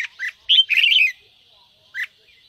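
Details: Red-whiskered bulbul from a ché-style stimulation recording: a couple of short chirps followed by a rough, buzzy, squawking burst lasting about half a second, then a single chirp after a pause.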